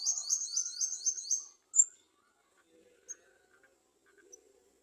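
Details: Garden sunbird adults at a nest, trying to feed their young. A rapid, thin, high trill lasts about 1.5 seconds, then one sharp high chip follows, with sparse faint softer notes after it.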